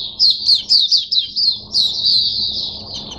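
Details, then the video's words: Oriental white-eye, a caged bird, singing: a fast run of high, thin twittering notes strung together in a continuous warbling phrase with little pause, over quiet low background hum. "Mata Puteh Hercules V1 buka sing"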